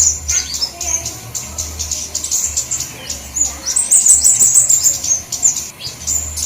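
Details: Flowerpecker lure calls, mixed from all kinds of flowerpecker: thin, very high chirps and ticks in quick irregular runs, denser toward the end, over a faint low hum.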